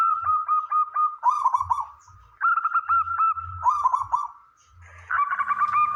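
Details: Local wild zebra doves with big voices, sung to prompt other doves to call: overlapping bubbly cooing phrases and level, evenly repeated notes run almost without a break, several birds seemingly singing together.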